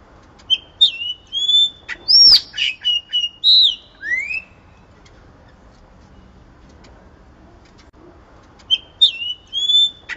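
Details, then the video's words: Yellow-rumped cacique singing a spring wild-style song used to train and excite caged birds: clear whistled notes, a sharp crack, slurred rising and falling whistles, then a pause before the phrase begins again. "XEXÉU DE BANANEIRA (PRIMAVERA) CANTO MATEIRO PARA ENCARTAR E ESQUENTAR"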